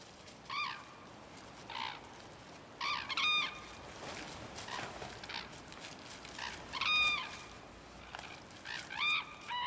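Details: Red-crowned Cranes by the Imjin River in the Korean DMZ, calling during their courtship dance; loud harmonic trumpeting notes in spaced bursts, several birds overlapping, over a steady broadband background hiss.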